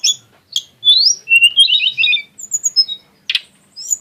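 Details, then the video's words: Tledekan gunung, the lesser shortwing, delivering a showy burst: rising squeaks, a jumbled twittering rattle, scattered thin whistles and one sharp explosive chip. "kicau tledekan gunung yg punya gaya exsotis dan tembakan yg mewah"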